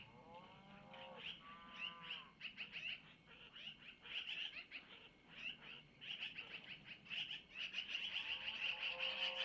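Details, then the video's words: Long-eared owl owlets calling for food while their mother feeds them at a camera-monitored Missoula nest, early morning; rapid streams of piercing squeaky notes, about two to three per second, with lower whining sweeps at start and end. "Mom takes from Mr to Feed Little Owlets -Long Eared Owl"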